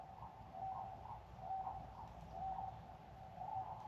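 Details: Distant Sandhill Cranes heard from an off-grid cabin camp: soft, rolling calls about once a second, faint over a low background rumble.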